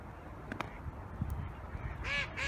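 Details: A so-called barking goose gives two short, harsh, nasal honks near the end, each with a stacked, braying tone, over low rumbling background noise.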